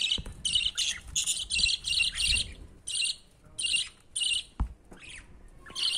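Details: Budgerigar chick begging as it climbs up to its father for food: raspy, hissing buzzes in quick clustered pulses, about one or two per second, with a few soft thumps and rustles.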